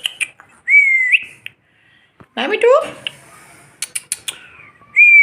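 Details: Captive Indian ringneck parakeets, said to be fooling around together: a curving whistle, a pause, a rough downward squawk with a rising tail, scattered clicks, and another whistle at the end.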